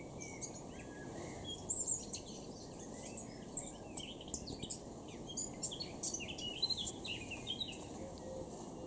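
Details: Soft, somewhat distant warbling from a Eurasian blackcap in Cambridgeshire, UK, on 26 June 2016: jumbled high twittering notes running on and off over a constant hiss of background noise.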